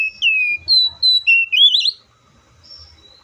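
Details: Oriental magpie-robin singing a series of clear, drawn-out whistled notes, some level, some sliding up or down, in a phrase lasting about two seconds, followed by quiet with a faint high note.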